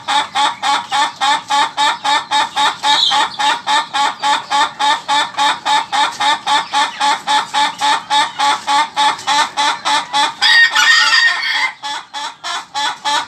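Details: Laughing chicken (ayam ketawa) rooster giving a long, rapid, rhythmic crow of clipped nasal syllables, roughly three to four per second, with a brief harsher burst near the end before the regular chattering resumes.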